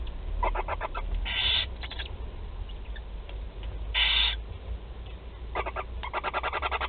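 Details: Feeding of four barn owl chicks at a nest in Théding, France, July 16, 2020: clicking pulse trains, two loud rasping hisses, then a long stuttering series of rapid ticks.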